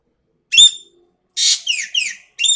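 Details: Asian pied starling in lively song: a bright whistled note, a short pause, then a harsh grating burst running into falling slurred whistles and another ringing whistle.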